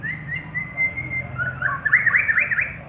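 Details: Prize-winning contest white-rumped shama: a long, even whistled note followed by a rapid burst of rising and falling chirps, over a low background hum.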